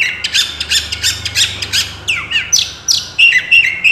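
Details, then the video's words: Loud 'gacor' Oriental magpie-robin song packed with 'isian' borrowed phrases, used as master material: fast harsh chattering notes, about three a second, give way to clear rising and falling whistles. "kacer gacor full isian dan masteran"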